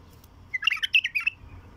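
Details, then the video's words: Raw song of a wild bulbul, played to draw in wild bulbuls: a short lively phrase of rapid clear chirps and fluty notes packed into under a second, surrounded by near silence. "تغريد بلبل وحشي خام"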